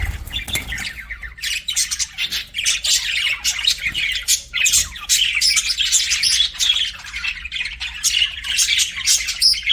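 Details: Pet budgerigars keep up a lively, steady twitter of rapid squeaks and buzzy chirps with hardly a pause.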